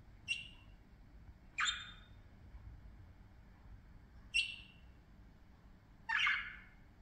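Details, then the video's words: Playing parakeets give four loud, grating squawks roughly every one and a half to two seconds, each brief and rough-edged, over a quiet indoor background. "parakeets 6 minutes playing, talking, singing"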